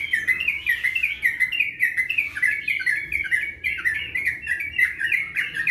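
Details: Long, continuous ropel-style song from an actively singing Sooty-headed bulbul recorded in March 2021: a rapid chain of fluty, bouncing whistled notes sliding up and down, steady and unbroken throughout, over a soft background hum.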